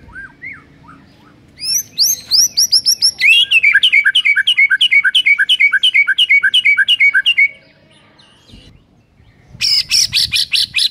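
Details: Master song of a white-rumped shama for getting silent birds to sing: soft opening notes, then a long rapid series of identical sharp looping chirps about every fifth of a second, later a burst of high buzzy notes.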